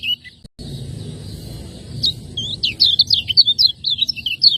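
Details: Lemon-bellied white-eye from Lombok, a cage bird, in 'ciak ngejos' style song used as a training master: after a low hum, a fast run of high, sharp, sweeping chirps starts midway and keeps going to the end.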